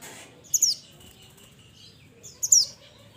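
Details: Mantenan of the mountains calling companions with two bright, very high, downward-slurred notes about two seconds apart.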